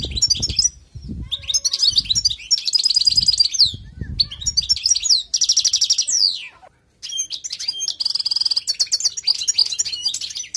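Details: Lively European goldfinch song: sustained runs of sparkling, twittering notes, rapid buzzy trills and repeated chiming phrases, one short silence near the middle, delivered continuously at close range.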